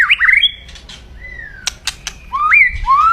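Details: Aggressive crackling kretekan of a white-rumped shama, loud and used to stir up rival birds: a quick whistled flourish, a long falling whistle, two sharp snapping clicks, then upward-sweeping whistles.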